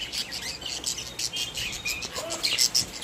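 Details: Budgies in a cage, presented as happy pets sharing affection: busy, high chattering warble of buzzy chirps and thin squeaks, steady throughout with a couple of sharper whistled notes near the end.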